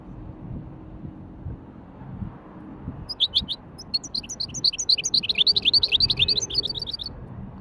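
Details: Hybrid European goldfinch singing in a light warm-up, bird market setting; a series of bright, quick twittering notes high in pitch starting after three seconds, growing denser and more rapid toward the end over low background hum.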